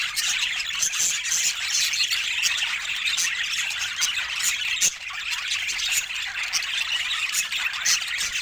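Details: Pet budgerigars in a loving mood fill the air with busy overlapping chirps, squeals and warbles, a bright high-pitched chatter that never stops, with short sharp clicks scattered through it.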